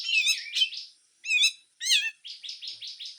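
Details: Grey-cheeked bulbul in harsh full song with besetan, used as a master recording for training songbirds: three loud, rasping, chattering phrases separated by short pauses, ending in a run of quick buzzy notes.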